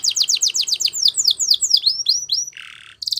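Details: Spanish Timbrado canary song: rapid descending swooping chirps that slow into bell-like notes, followed by a short lower buzzy roll and a brief high trill.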